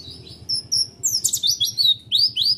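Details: Oriental white-eye in roll tembak song, delivering quick high whistled notes, then a burst of rising and falling chirps, with a low background drone.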